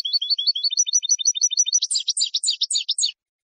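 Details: Saffron finch singing for tutoring caged birds: a steady string of paired high chirps repeated about three per second, shifting midway into harsher, buzzier notes that continue for about a second more.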